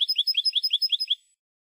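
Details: European goldfinch, Spanish song-recording bird: a rhythmic string of about ten bright, high, liquid chirps, evenly repeated around eight per second, then stopping abruptly into silence.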